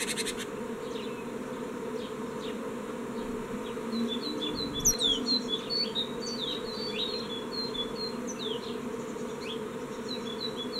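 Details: Young great tits at a nest box on 14 May 2017 as they fledge, with only one wanting to leave; many thin, high chirps and short downslurred squeaks come in loose runs over a steady low humming drone.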